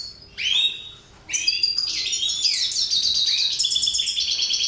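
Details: A rising whistle, a short pause, then a continuous, hurried stream of high twittering and trilled notes from mutation goldfinches.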